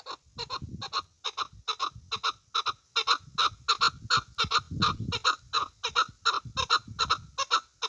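A chukar partridge gives a long run of harsh, clucking chuk notes, roughly three every second, with some low rumbling in the background.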